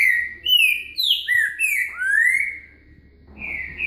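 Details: Green-winged saltator (trinca-ferro) song lesson, a kept bird's 'boca mole com virada' song: a quick run of rich, slurred whistles sliding up and down, about six phrases in four seconds, over a faint low hum.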